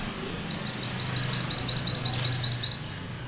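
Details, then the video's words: Rolling 'ngerol' song of a gacor Sunda bush warbler: a steady string of quick, high, rising notes lasting about two seconds, with one louder, piercing, falling chip near the end. "Suara MANTENAN GUNUNG MERAH GACOR"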